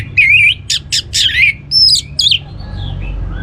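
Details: Orange-headed thrush voice, used to get other birds singing: a burst of loud, harsh, scratchy notes and wavering squeaky whistles in quick succession, ending in quieter faint notes.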